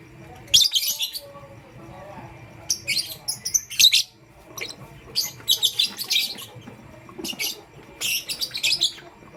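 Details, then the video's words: Pastel gray lovebird chirping in the morning: bursts of shrill, scratchy high chirps in clusters of one to two seconds, repeated several times with short pauses, faint background hum. "Pastel Gray LoveBird Chirping Sound"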